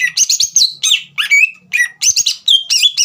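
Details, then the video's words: Continuous rich song of a green leafbird, played to stir a young bird into singing: fast tumbling whistles and chatters, some notes sliding down and others held steady, delivered in quick bursts with no gaps. "CUCAK IJO GACOR INI SPONTAN MEMANCING EMOSI CUCAK IJO BAHAN TROTOL AGAR GACOR"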